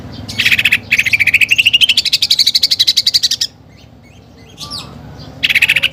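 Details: Cucak ijo 'tembakan' song: a brief chattering burst, then a fast pulsed trill rising over two seconds, quiet faint notes, and another short loud burst. Song said to carry imitations of fighting sparrows and the pelatuk bawang woodpecker.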